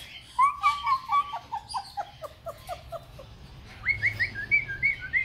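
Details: A Major Mitchell's cockatoo, female, kept in a bird store, gives a quick run of clear whistled notes, about four a second, then a short pause and a higher burst, over a low indoor hum.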